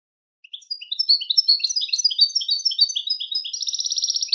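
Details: Goldfinch song played to teach goldfinches: a rapid, high twittering run of jumbled chirps and trills, ending in a fast buzzy rattle of repeated notes. No other sounds.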